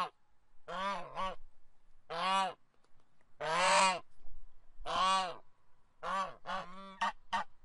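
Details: Goose uttering harsh, nasal honks at irregular intervals, some long and drawn out, others short and doubled, with a faint low hum in the background.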